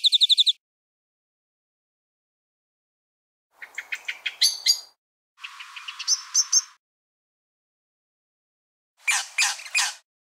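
Brown thornbill imitating other birds: a quick high trill, then several bursts of buzzy, chattering notes with sharp squeaky peaks, separated by silences.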